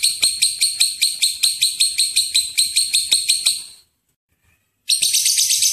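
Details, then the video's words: Lovebird ngekek chatter used as a lure: a rhythmic series of harsh, high notes about three per second for nearly four seconds, a one-second silence, then the shrill chatter resumes more densely. "Pancingan suara lovebird ngekek panjang"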